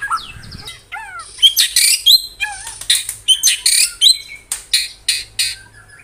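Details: White-rumped shama (murai batu) in 'tembakan rapat', rapid-fire singing: a few sliding whistles, then a string of loud, harsh, clipped bursts repeated roughly twice a second.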